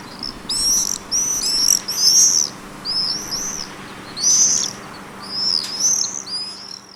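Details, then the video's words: Common swifts give shrill, piercing, slightly trilled screams in quick overlapping bursts, about two each second, over a faint low hum. "SWIFTS - SOUND OF SUMMER"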